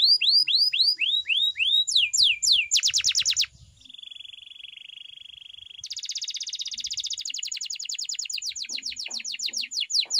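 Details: Canary training song: rising curved whistles, a burst of fast descending notes, a steady low buzzing trill held for about two seconds, then a long bright rolling trill.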